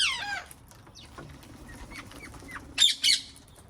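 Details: Wild parrots calling in a garden: a descending harsh call opens, then faint chattering notes and two loud, raspy squawks close together near the end.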